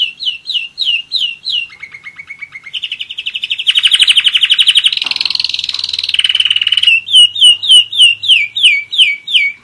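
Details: A one-year-old German Roller-split canary sings loud down-slurred whistles and a lower trill. These build into an intense rolling trill, then return to clear repeated slurred notes.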